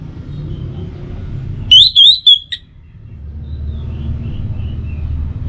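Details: Lure recording of an orange-headed thrush, meant for mornings and evenings to spur birds into song: one short run of three bright, high whistles, then faint distant notes over a low rumble.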